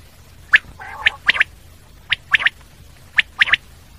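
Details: Common quail calling in short sharp bursts, a single note followed by a quick double note, repeated about every second, with a rough lower squawk early on.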